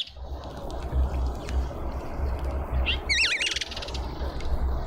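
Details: Cape white-eye visiting a garden feeder in suburban Pretoria, South Africa: after a brief thin note, a quick wavy warbling phrase rises and falls twice, followed by faint twitters against a constant low drone.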